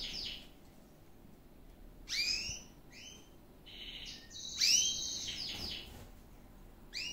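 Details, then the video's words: Gloster canary giving scattered bursts of song: sweeping high notes, short trilled tours and rising slurs separated by brief pauses, louder around the middle and near the end. "Canto do Canario - Best Canary Singing - Gloster"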